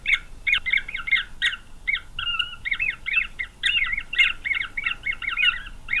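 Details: Fast-growing green wood hoopoe chicks in a nest in Pretoria, South Africa, on November 9, 2023, give a continuous stream of harsh, squeaky, high-pitched begging notes, rapid and overlapping, with a few sharp clicks.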